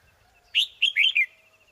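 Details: Wild Red-whiskered Bulbul singing a strong double-burst song (nổ kép) near a hanging decoy bird during trapping; four quick, loud, warbled notes in two close pairs, sliding up then down, lasting under a second, with faint steady tones behind.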